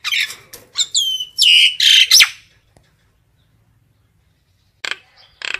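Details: Common myna calling the flock with harsh raspy squawks and whistled slurs over two seconds, then a pause and two short harsh bursts.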